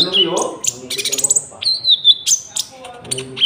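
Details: Golden-bellied gerygone, locally konin, song with cricket sound fill, used for trapping and as a tutor for caged birds: a quick run of sharp high notes, then sustained thin whistles and trilled phrases with faint low voices underneath.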